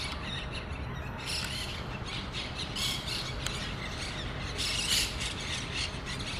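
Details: Monk parakeets at a colony with a communal nest in Pasir Ris Park give a busy, overlapping chatter of harsh squawks and shrieks, several birds calling at once over a steady low background rumble.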